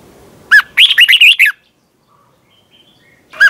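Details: Red-whiskered bulbul singing in competition style, used for training birds: a loud downslurred note followed by a rapid run of five warbled, rising-falling whistled notes, then a quiet pause and another opening note.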